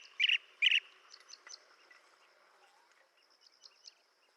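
Blue-tailed bee-eater giving two loud, rolling chirrups about half a second apart, then a few softer high chips fading away; no other sounds stand out.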